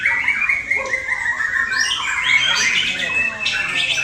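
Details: Male white-rumped shama set up for contests, pouring out loud, varied whistled phrases and chattering notes in a dense unbroken stream.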